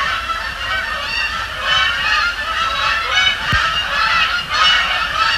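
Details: Many Canada geese honking together on a Thursday night at Sapsucker Woods Pond during fly-overs and landings; loud, continuous overlapping nasal honks with rich harmonics and one sharp click.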